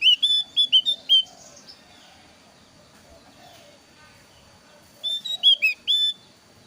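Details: Lure recording of a thin-eyebrow Javan grey-throated white-eye, used to attract birds for trapping and as a song tutor: bright, pure whistles in quick runs of several notes, then a silent gap before another burst.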